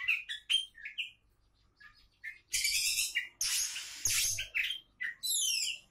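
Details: Champion-candidate Oriental magpie-robin in full varied song: rapid whistled chirps, then extended harsh buzzy passages and descending twittering notes, almost continuous and loud.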